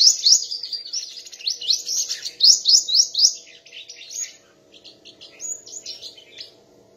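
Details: Sunbird in a singing contest, pouring out fast high chips and upward-sweeping notes in a dense run for about three seconds, then fainter scattered twitters.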